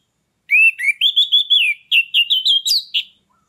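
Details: Captive orange-headed thrush singing nonstop to stimulate other birds into breeding condition: a quick run of about a dozen short, bright whistled syllables, rising and dipping, delivered without a break against a quiet background.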